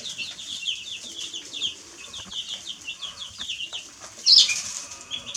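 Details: Many baby chicks peeping: rapid, high, falling chirps in a steady overlapping stream. One sharp, louder shrill peep stands out near the end, with soft shuffling noise underneath.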